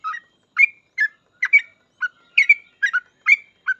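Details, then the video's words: Sooty-headed bulbul, a 'full ropel' master song for training other bulbuls: about nine rich, bubbling whistled notes in under four seconds, alternating lower and higher pitches. "Suara trucukan gacor full ropel ini cocok banget buat masteran trucuk agar cepat ikut ropel"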